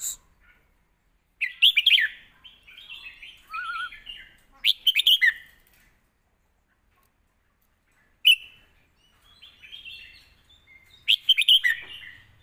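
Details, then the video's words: Red-whiskered bulbul, a cage bird, singing a scoring song with full tone and phrasing meant for training young birds; bursts of rich warbling phrases separated by pauses, each opening with a sharp bright note, four song bouts. "เพลงเรียกคะแนน น้ำเสียง+สำนวนครบ(ไว้ฝึกลูกนก)"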